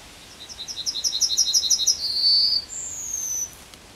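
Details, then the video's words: Song of a Yellowhammer on the edge of Kabaty forest. Thin, high notes repeat quickly about a dozen times and grow louder, run into a brief buzzy note, and end in a long, high, slowly falling whistle. "Trznadel śpiewa na skraju lasu Kabackiego"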